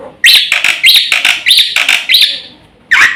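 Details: Black-winged myna singing a full, rich song for luring and training other birds: loud harsh bursts with a bright rising whistled edge, five in quick succession about every 0.6 seconds, then a pause and one final burst.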